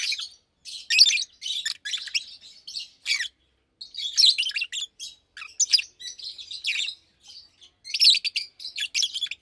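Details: Two Fischer's lovebirds almost two years old, one blue with white head and one pastel green, chirping in daytime: rapid, scratchy twittering notes strung in uneven runs with occasional pauses.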